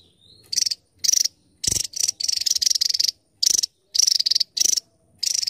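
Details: Javan tesia, a tiny bird with a fiery voice, delivering high rattling trills in quick bursts, several grouped together then spaced out, with one soft low thump near the start.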